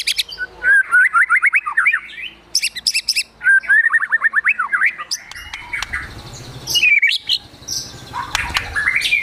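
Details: Agitated white-rumped shama song in gacor emosi manner, filled with imitated sogon and kunti notes. Two bursts of fast, zigzagging whistled trills run in series, then a looser stretch of slurred calls.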